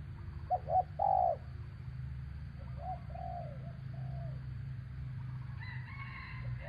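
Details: Spotted dove coaxing a bird down in traditional trapping. A clear phrase opens with two short notes and a long hoarse coo, followed by softer, fainter coos over steady low rumbling noise.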